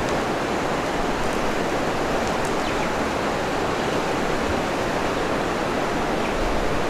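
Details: Steady broadband rushing noise, like running water or wind, fills the whole recording with no clear animal calls.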